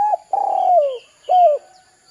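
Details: Spotted dove coos played as a lure to get young birds calling: a long, husky coo gliding downward, then a shorter falling coo.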